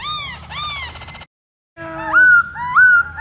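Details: Caged masked laughingthrush, known in Indonesia as poksay Hongkong, singing a lively gacor song while dancing to attract a female: arched whistled notes, a short pause, then rising whistles with harmonics, over low background hum.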